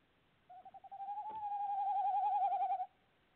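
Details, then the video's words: Nest-box tawny owl, recorded 25 February 2018, opens with a few stuttering pulses, then swells into one long, slightly rising hoot with a rapid tremolo, ending sharply; a brief click is heard near the start. "Tawny Owl nest box calling"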